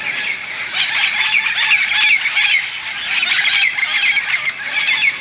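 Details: Tens of parrots settling into large bamboo next to St. Andrew's Golf Course, Moka, Trinidad, around 5 pm as they prepare for the night, form a dense, continuous chorus of harsh, overlapping squawks.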